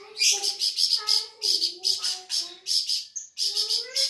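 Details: Sumatran flamboyan bird, an insect eater, sings lively high chirp bursts over a lower, smoothly wavering whistled line, the phrases broken by short pauses.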